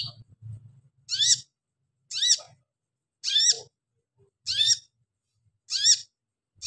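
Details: Female Pygmy cupwing calling to a male: short harsh, buzzy chirps with a rising lower tail, repeated about once a second with silent gaps between them.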